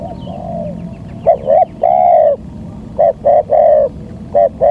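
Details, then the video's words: Trapping lure of a local spotted dove: faint distant notes, then repeated phrases of two short coos and a long drawn coo, ending with more short paired notes, over quiet low rumble. "Pancingan suara tekukur"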